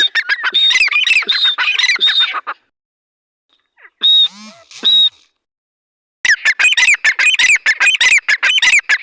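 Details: Partridge, called dhakani or arani teetar, giving harsh, squawking calls repeated rapidly in loud bursts, with a pause of near silence in the middle broken by two short ringing notes.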